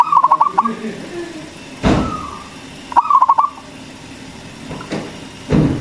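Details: Zebra dove of local stock singing as a lure for other doves. Two quick stuttered cooing phrases, three seconds apart, are broken by dull low thumps.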